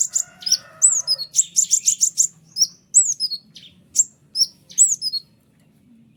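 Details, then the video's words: Sharp, tight white-winged triller song meant to make other trillers respond: a quick volley of six clipped high notes followed by repeated downslurred whistles at steady intervals. "konin sayap putih unik full nembak rapat tajam suara jelas paling bagus untuk masteran kolibri ninja"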